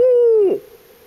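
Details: Single barred owl hoot recorded in Swan Valley, Montana, from a pair called in by a person's imitation during field work: one long, loud, low note held steady, then sliding down and fading into quiet.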